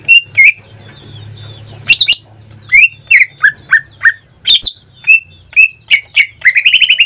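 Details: Pet greater green leafbird, kept caged in Indonesia and singing almost daily, gives loud clear whistled notes around mid pitch, many sliding downward, with sharp high chips between and a fast trilled run of notes at the end.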